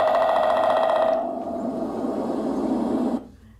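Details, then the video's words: Woodpecker pecking on a tree: a rapid, buzzy rattle of pecks lasting about a second, fading into a dull hiss before stopping abruptly. "So if you ever hear that sound, you know that is a woodpecker."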